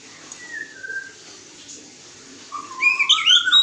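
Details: Magpie-robin during a mating pairing: two soft drawn-out whistles, a quiet gap, then a loud rising whistle with a tumbling run of sweet high notes.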